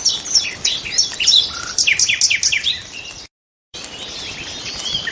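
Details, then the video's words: Nightingales in full song, a loud jumble of varied sweeping whistles and sharp chirps delivered in quick succession, broken by a short silence, then softer high twittering resumes. "A few minutes of lull with the sound of nightingales"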